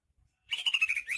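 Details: Greater green leafbird from Banyuwangi: a brief, continuous, slightly wavering whistled warble with a steady bright tone, beginning abruptly after a short silence.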